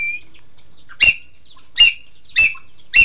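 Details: Green magpie (Cissa chinensis), locally called engkek keling: four loud, harsh, clipped notes with a ringing, buzzy edge, spaced about 0.6 to 0.7 seconds apart. A faint thin whistle comes first, over an otherwise quiet background.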